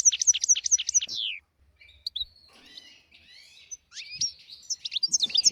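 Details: Goldfinch song meant as a tutor for young goldfinches and canaries: a quick burst of bright falling notes, a softer rambling twitter in the middle, then sharp chirps returning.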